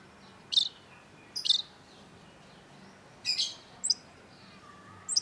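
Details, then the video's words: Long-tailed shrike singing, used as a lure to get silent shrikes singing: short scratchy high-pitched bursts, some doubled, spaced irregularly with pauses of up to two seconds, against a soft steady hiss. "cendet gacor LANGSUNG GACOR !! PANCINGAN CENDET MACET || Long-tailed Shrike"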